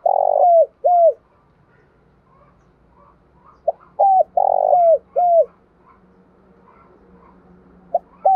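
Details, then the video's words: Morning call of a spotted dove kept as a lure bird with a responsive voice: repeated low cooing phrases, a long rough coo followed by short falling notes, with a faint low hum underneath. "Tiếng chim cu gáy mồi gáy gọi buổi sáng giọng nhạy bổi"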